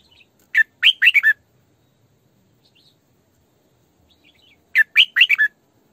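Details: Female Red-whiskered bulbul decoy singing sổ bọng căng song for training and trapping bulbuls: two matching phrases of five quick, lilting, chirped notes, about four seconds apart, in a quiet setting.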